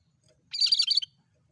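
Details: Sooty-headed bulbul (cucak kerinci) used to lure birds: a single brisk, warbling, chirpy phrase lasting about half a second. It is loud and clear against a quiet background.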